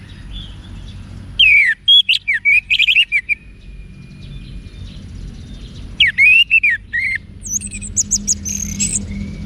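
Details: Orange-headed thrush song from Singaraja, North Bali, used to train caged birds; two bursts of fast, varied whistles and sharp chirps separated by a thin steady tone, ending with high squeaky notes.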